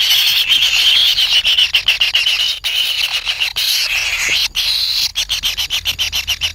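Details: Hungry kingfisher nestlings wait for a parent to bring food. A shrill, buzzy begging rasp with rising inflections is chopped into fast pulses, becoming a quick stuttering series of about four per second near the end.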